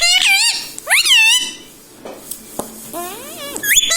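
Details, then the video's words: Pet ringneck parrot kept indoors, talking: high, wavering voice-like syllables with harmonic stacks, a short phrase at the start, another near one second, and a drawn-out rising-then-falling word near three seconds, in a small quiet room. "talking parrot mummy papa"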